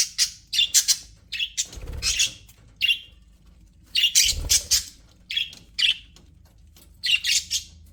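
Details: Aviary budgerigars chirp in quick, scratchy bursts and squawks, with occasional low rustling of movement between call runs.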